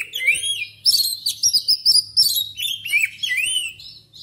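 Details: Magpie-robin song that sets caged birds singing: loud, bright, slurred whistles in quick bursts, with arched and upswept notes repeated through the phrase.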